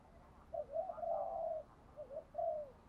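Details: Spotted dove calling to lure wild doves in for a fight. Several low wavering coos, quieter and set against a steady background hiss.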